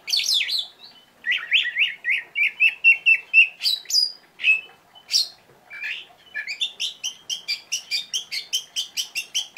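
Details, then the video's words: An Oriental magpie-robin in lively form, opening with whistles, then a wavering warbled run, scattered sharp notes, and finally a fast, steady series of high chirps, about four per second. "kacer gacor tembakannya pedas"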